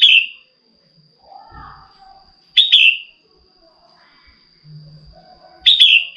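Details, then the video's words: A female red-whiskered bulbul urges a male to sing with bright, falling whistled chirps repeated three times, roughly every three seconds. A thin constant high tone and soft low knocks sit in the background. "CHÀO MÀO MÁI KÍCH TRỐNG CĂNG LỬA"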